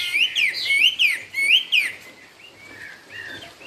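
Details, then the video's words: Chinese hwamei, "cao cầu" song style: five or six bright whistled notes, each sliding upward then dropping, delivered quickly over about two seconds, then softer trailing whistles as the phrase fades. "Họa mi cao cầu"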